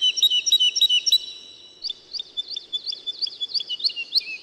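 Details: Woodlark singing a loud, fast run of liquid fluted notes. After a brief gap comes a second, quieter series of repeated slurred whistles that speeds up and ends on a lower note.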